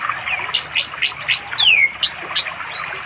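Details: Orange-headed thrush singing to call a female for mating, afternoon, by a forest river far from settlements in East Java; dense run of high varied chirps and trills with one long clear descending whistle, recorded on Android.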